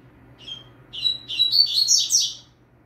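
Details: Novice Double-collared seedeater in firm training song for fibra, with a saltator singing in the background. Thin high notes start slowly, then quicken into a continuous, dense, buzzy warble lasting over a second.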